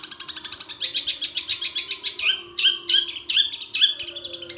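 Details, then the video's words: Long-tailed shrike performing a song of copied gereja petir, kunti and tengkek buto sounds, chattering high pulses followed by a string of clear whistled notes. "bunyi super panjang cendet isian gereja petir,Kunti, dan Tengkek Buto"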